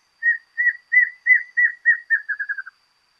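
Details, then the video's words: Rufous-capped Antshrike (choca amarilla) song: about eleven nasal, downslurred notes that quicken and drop slightly in pitch toward the end, with no other sounds. "Choca amarilla"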